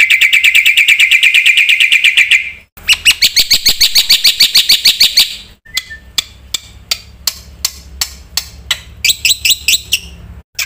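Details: Black-winged myna song rich in fill-in phrases, recorded to stimulate and tutor other birds. A long ringing trill, then a dense chattering rattle, then spaced sharp clicks and a short final burst.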